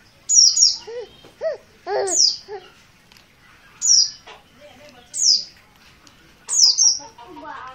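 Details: Untrained oriental white-eye, dakun merapi type, giving insistent calls: five or six piercing high chirps that slide downward, some doubled, spaced one to two seconds apart, mixed with lower warbling, rising notes and faint voices.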